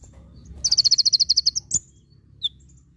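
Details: Konin, or Javan white-eye, giving 'full tembakan' tutor song: a single second-long burst of about twelve fast, shrill, evenly repeated notes, followed by a sharp chirp and one softer call.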